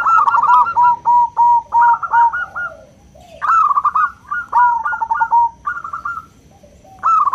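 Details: Local zebra dove with a small build and clear 'crystal' voice, used as a lure to stir other doves: bursts of quick staccato cooing notes, some rising, repeated in phrases separated by short pauses.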